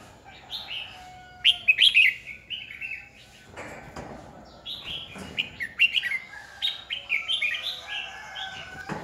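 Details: Red-whiskered bulbul decoy singing to lure and challenge rivals; repeated phrases of quick, rising and falling whistles and chirps throughout, with a few soft wing-flutter or rustling sounds.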